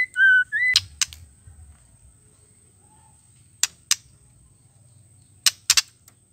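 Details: Female white-rumped shama call used to excite male birds into song: a short whistled flourish at the start, then scattered loud dry clicks in pairs and a final tight cluster.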